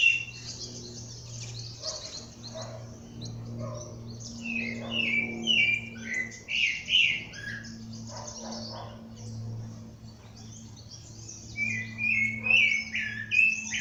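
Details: Morning chorus of birds in nature: dense clusters of rapid, sharp chirps and whistled twitters in uneven bursts, louder mid-way and near the end, with a steady low droning hum throughout.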